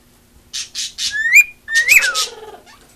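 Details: Female cockatiel kept as a pet, giving harsh noisy squawks around two upslurred whistles that rise and then drop away.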